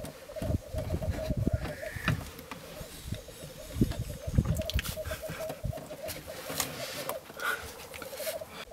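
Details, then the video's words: Three black grouse cocks displaying at a lek at Filsartrusket in Florarna, early morning on 17 April 2013, recorded from a hide: continuous low bubbling, rolling coos in overlapping phrases, with scattered thumps, rustles and occasional brief higher notes. "Orrspel i Florarna"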